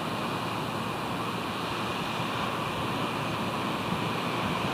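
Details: Continuous roar of wind and surf-like noise, even and unbroken, without any animal calls.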